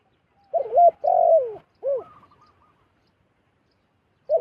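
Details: Zebra dove, wild, drawn down to a decoy bird: rapid bubbling coos, a twisted note, then a longer falling coo, a short trill-like tail, and another phrase beginning after a pause, no other sounds.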